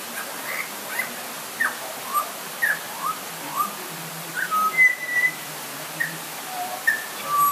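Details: Butcherbird calling during light rain: scattered clear whistled notes, some sliding up or down, spaced about half a second to a second apart over steady rain hiss.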